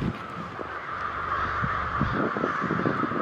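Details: Huge wintering American crow roost in Granby, Quebec, Canada, counted at 28,000 birds; a dense continuous wash of overlapping caws forms a steady roar, with no single call standing out.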